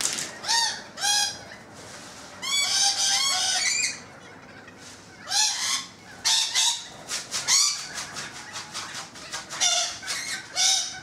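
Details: Noisy rainbow lorikeets on a balcony trade loud, buzzy screeches and clipped rasping chatter, bursts repeating irregularly with brief quieter gaps between.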